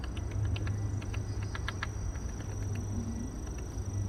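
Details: Woodpecker chiselling a hole in a tree in a park to reach insect larvae; crisp short knocks bunch together in the middle of the recording before thinning out, over steady low background hum.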